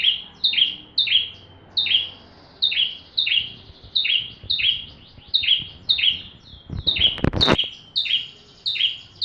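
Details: Bar-winged prinia full song for tutoring magpie-robins: continuous rhythmic string of high sharp chirps with buzzy downslurs, about two per second, interrupted by a brief rattling knock.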